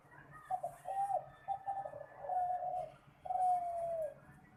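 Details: Competition-type spotted dove song, low and hollow: a quick pair of coos, a rolling burbled middle section, then a sustained clear coo drifting downward, repeated as a final long falling note.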